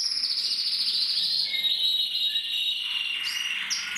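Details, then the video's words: Harlequin canary cock from a breeding aviary sings a continuous, high-pitched warble of rapid trills and bright whistled notes, rolling on without pause. "Kanarienvogel Harlekin singt"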